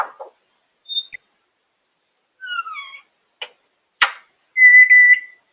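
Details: Female pet African grey parrot vocalising atop her cage: soft chatter, a high whistle, descending slurred whistles, sharp clicks and a long loud level whistle, with silent gaps between sounds.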